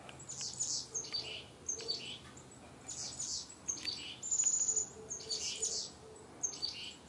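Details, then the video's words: Chickadees in colourful autumn backyard trees, fall 2021, give bursts of high, thin chips and buzzy notes every second or so, with one brief pure whistle midway and faint background hiss. "Chickadees serenading"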